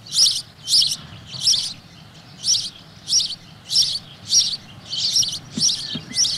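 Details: In spring a male House Sparrow courts females with loud, bright chirps repeated about every half second, a steady chattering series with a faint low rumble underneath.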